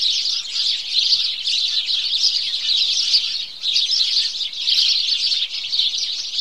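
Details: House sparrows in a morning chorus: a dense, unbroken wash of overlapping high chirps and twitters from many birds, steady throughout with brief dips near the middle and later, no other clear sounds.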